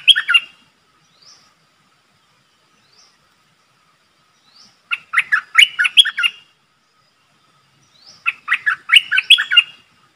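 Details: Streak-eared bulbul kept as a decoy to lure a wild flock: repeated bursts of quick, bubbly chattering notes, each burst lasting about a second and a half, separated by long quiet gaps with faint high rising notes.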